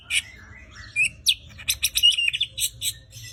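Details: A competition-ready white-rumped shama pours out a fast, varied song: bright high whistles followed by a rapid sequence of sharp, ringing notes, about four to five per second.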